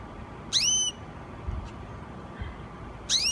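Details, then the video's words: Gloster canary, a new singer recorded in July 2016, giving two short, sharp chirps about two and a half seconds apart, each a quick bright note sweeping upward, against a quiet low background hiss. "2016 Gloster Canary New Singer"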